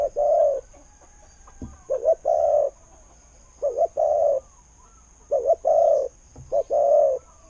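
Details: Spotted dove with a fine voice, kept as a decoy. Four low cooing phrases, each a short quavering note or two followed by a long steady coo, spaced about one and a half seconds apart.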